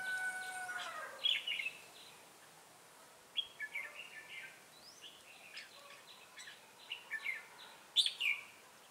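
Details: Red-whiskered bulbul of the Ché type at a trapping site in Bình Phước, Vietnam, on 25 June 2018, a decoy calling wild birds: short bright warbled whistled phrases, rising and falling, given in scattered bursts with pauses between.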